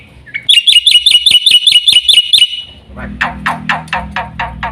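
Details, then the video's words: Black-winged myna delivering about nine evenly spaced, whistled chirps after a soft introductory note. Harsh, raspy repeated notes follow over a low droning background. "burung jalak putih"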